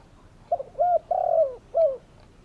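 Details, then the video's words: Spotted dove giving one phrase of low, soft coos: a couple of quick stuttered notes, a longer drawn-out coo that falls slightly, then a short closing coo, against quiet background. "Spotted doves calling!"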